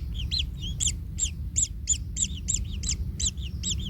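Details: Kingfisher nestling in pain after its parent steps on it: quick series of shrill rasping arched notes, some doubled, about three per second, over low background rumble.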